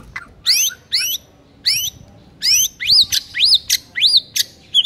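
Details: White-rumped shama master song for silent birds. Sharp upward-sweeping notes are followed by a string of arched, rising-then-falling whistles, each clearly separated.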